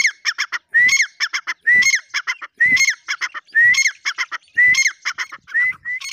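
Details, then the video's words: A repeated loud call from a grey francolin: a ringing, rising whistle, then three or four fast, scratchy syllables, with the pattern recurring at a regular pace near one per second. "dakhniteetar ki awaz"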